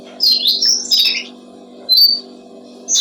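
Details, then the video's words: Brown-streaked flycatcher used as a tutor for songbirds: a brief run of high chirping notes, a pause, then a single thin whistled phrase and another short chirp, over a continuous low hum. "Masteran burung jongkongan coklat"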